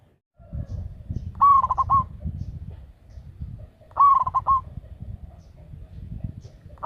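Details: A loud local zebra dove used as a decoy coos twice about two and a half seconds apart, each a held note dissolving into rapid stuttered beats, over steady rustling and rumbling background noise.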